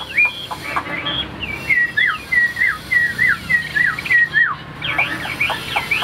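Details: Tame caged Chinese hwamei, said to sing well, giving clear whistled phrases. Downslurred notes are repeated in a quick, uneven series, ending in a burst of rapid, varied whistles.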